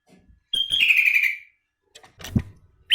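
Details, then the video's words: Sooty-headed bulbul giving isian song stuffed with learned phrases: one clear whistled phrase that starts high and slides down into a warbled falling note, followed by a dull knock and a soft click. "KUTILANG ISIAN BURUNG MAHAL"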